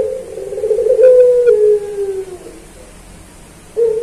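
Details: Puter pelung Barbary dove, recorded to train captive birds of the same kind. A rough, trembling low coo draws out into a smooth, gently falling tone and fades, followed by near quiet and the start of another coo.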